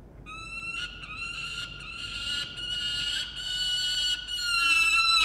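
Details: Young peregrine falcon calling to its father at about 9 am on 4 August 2021, Orange, New South Wales: harsh, nasal, drawn-out wailing calls at a steady high pitch, in long screams with brief breaks, growing louder toward the end.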